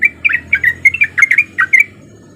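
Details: Sooty-headed bulbul male singing as a lure; a short burst of about a dozen liquid, slurred chirps in under two seconds, then quiet with faint low hum.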